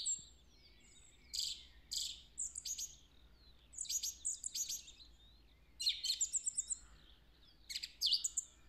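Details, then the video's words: Song thrush singing in woodland on 3 April 2020, one of at least two birds locally mimicking the Woody Woodpecker tune: short, high, bright phrases with trills and clicks, delivered in separate bursts with brief pauses between. "Songthrush singing the Woody Woodpecker song"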